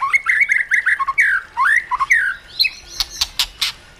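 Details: Caged white-rumped shama giving forest-style training song: a run of sweet rising and falling slurred whistles, repeated several times, then a burst of dry sharp clicking notes.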